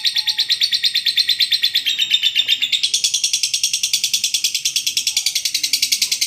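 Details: Sustained lovebird ngekek, recorded for training other birds: an unbroken run of rapid, shrill, buzzy pulses that steps up in pitch partway through and holds there, with a quiet background.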